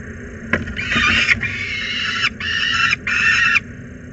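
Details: Peregrine falcon youngster at Włocławek Anwil screaming from the platform under pressure, afternoon of 16 July 2022: loud raspy drawn-out screams, three long bursts each near a second, preceded by sharp knocks and scuffling, with low hum beneath.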